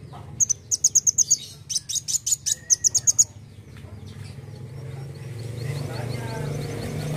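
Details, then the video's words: Energetic 'nembak' song of a kolibri wulung sunbird: two fast strings of shrill, high, chattering notes over about three seconds, then fainter distant twittering while a low rumbling noise swells. "KOLIBRI WULUNG GACOR NEMBAK NEMBAK"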